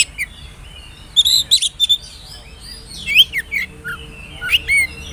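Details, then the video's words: Whistling oriental magpie-robin used as a lure to prompt young birds to sing; scattered clear whistles, upslurred and downslurred notes, and a few sharp chirps over a quiet background. "pancingan suara burung kacer bersiul bikin emosi lawan cocok buata pancingan kacer muda"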